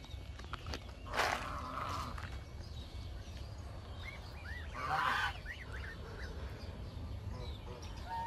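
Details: Backyard goose giving two loud, harsh, raspy honks, one about a second in and another near five seconds. Faint short chirps from smaller birds fall between them, over a steady low rumble of background noise.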